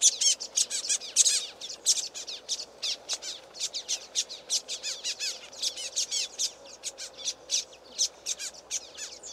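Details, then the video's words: Common waxbills, a whole flock, excitedly calling from streamside reeds: rapid high-pitched, slightly buzzy tweets tumbling over one another without a break, loudest at the start and easing slightly toward the end. "Common Waxbills calling"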